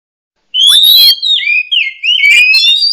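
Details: Oriental magpie-robin (murai kampung, murai cacing) giving a loud, clear rising whistle followed by sliding, wavering whistled notes.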